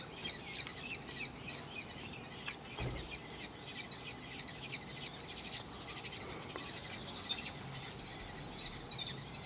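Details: Young common kestrels beg with high, thin, trilling whines, rapid and overlapping, about one and a half per second, as parents deliver food, over faint background noise.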